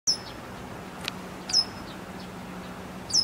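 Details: A Japanese wagtail holding a big caterpillar in its bill for tens of minutes gives three short, sharp, high "piii" chirps about one and a half seconds apart, with a faint low hum in the background.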